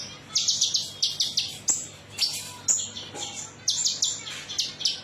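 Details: Metallic-style konin song played as a lure to prompt other birds to sing: quick high buzzy trill bursts mixed with thin whistled notes, in rapid, uneven, continuous phrases.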